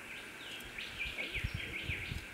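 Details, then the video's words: Female Rufous Whistler with young, Canberra, Australia, 14 December: soft, short high chirps repeated several times a second over low rustling and bumping noises. "Female Rufous Whistler with Young"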